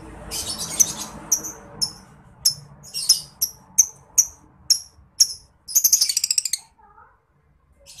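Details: Lovebird giving 'ngekek' chatter, used as a master recording for contest birds: spaced high chirps over a background rumble, then a fast, dense burst of rapid notes before quiet.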